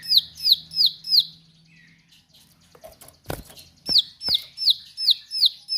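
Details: Bar-winged prinia singing sharply: a fast series of high, clipped, downslurred notes about three per second, a pause with scattered clicks and knocks, then the same rapid series resumes.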